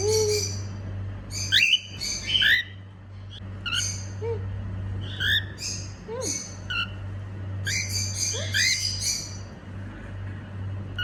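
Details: Female cockatiel making happy sounds: bursts of harsh squawky chatter mixed with short rising and falling whistles, uneven in timing, over a steady low electrical hum.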